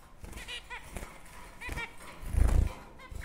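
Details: Zebra finches (Taeniopygia guttata) in a breeding setup give short, nasal, toy-trumpet beeps, scattered several times over a few seconds, over low thumps and handling noise.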